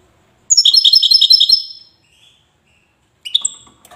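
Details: Wedani-style song of a European goldfinch from Safi, Morocco: a quick run of clear, high, repeated notes with a brief chatter, a pause, then a shorter sharp phrase.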